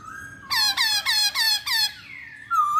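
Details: Masked laughingthrush, played as a lure song to draw other birds into singing: a steady tone, then a run of six loud, squeaky harmonic notes in quick succession, followed by a gliding tone and a final sustained whistle.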